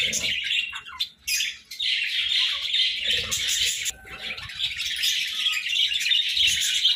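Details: A morning group of pet budgerigars chirps and warbles in rapid, busy phrases, with short pauses near the first and fourth seconds, then sustained chatter again.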